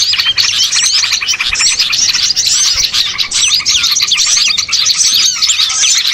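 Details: Small birds in a dense chorus, played as a lure to draw birds in for catching: many overlapping high, thin chirps and quick sliding whistles, with no pauses and a steady, busy loudness.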